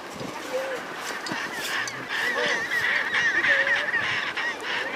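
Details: Gentoo penguins calling from their nests, which are simple piles of rocks, in Antarctica, heard during a small-ship cruise. Many harsh, honking brays overlap in a dense, continuous chorus over steady background noise.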